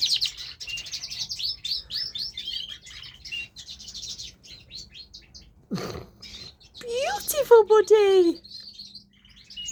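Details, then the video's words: Male pet canary giving fast high trills and chattering phrases, then a louder lower descending harmonic call breaks in near the end, after a short thump. "Canary singing"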